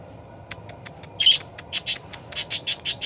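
A parakeet chatters in quick, harsh, high chirps, about four to five a second after a few scattered clicks, with one louder squawk near the start.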